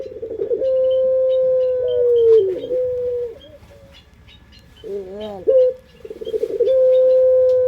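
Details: Barbary dove (puter pelung) lure song: long, steady, pure low coos with a quavering middle section and short arched notes, backed by faint high chirping from other birds.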